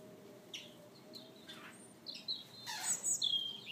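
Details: A kept pair of European bee-eaters gives scattered short, high chirps and clipped whistles, with a denser burst of overlapping calls toward the end over a faint background hiss.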